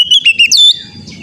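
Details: Oriental magpie-robin, used as a training recording for an untrained young bird: a quick run of four loud whistled notes ending in a high sliding trill, then quiet background hum.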